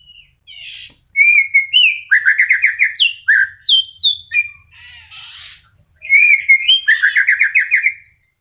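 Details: Moulting white-rumped shama, a kept bird just starting new feathers, sings varied phrases: clear whistles, stuttering trills repeated in quick rows, a harsh rasping note, then another fast trilled run.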